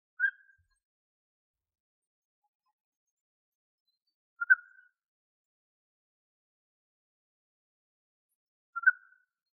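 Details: Male European bee-eater (Merops apiaster) singing in Greece: three short, liquid rolling notes at mid pitch, spaced about four seconds apart, with silence between.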